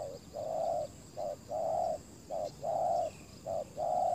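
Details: Ground decoy spotted dove calling for wild doves: a quick short coo followed by a long, full, steady coo, the pair repeated about every 1.2 seconds over a quiet rural background.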